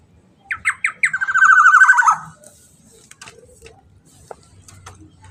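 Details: Black-naped oriole giving three or four separate sharp notes that run into a fast, grating, slightly descending rattle of around one second, followed by quiet with a few faint clicks and a low hum.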